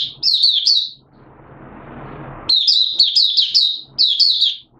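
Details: Malaysian Oriental white-eye, caged hobby bird in light moult, singing buka sing: high chirping phrases, then a second of broad hissing noise, followed by a longer rapid chirp run and another short phrase.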